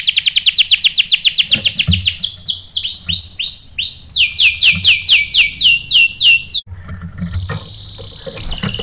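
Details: Lure song of a canary to make others answer: a fast run of rising chirps, then slower sweeping and swooping whistles, a short gap, and a thin sustained high roll.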